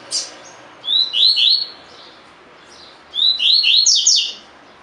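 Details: Caged double-collared seedeater singing the tui tui fibra style, used as song-training audio for captive birds. After one brief high note, two short bursts of three or four bright slurred whistles, each burst lasting about a second, come two seconds apart.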